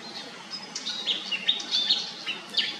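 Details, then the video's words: Pied fantail giving a busy series of high chirps and short sharp squeaks, closely spaced and uneven in rhythm, over a steady low background hiss. "นกอีแพรดแถบอกดำ (Pied fantail)"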